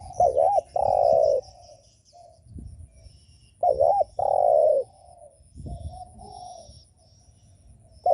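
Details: Cooing spotted dove, the call played to provoke rival doves: loud phrases of a quick wavering two-part note then a long sustained falling coo, repeated twice about every three and a half seconds, fainter doves cooing between.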